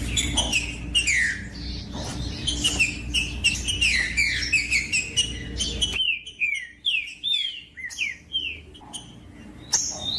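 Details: Green-winged saltator song played to warm up and stimulate other birds to sing: busy overlapping whistled and chirping notes, then from midway clearer, separate downslurred whistles with short pauses, over a low steady hum.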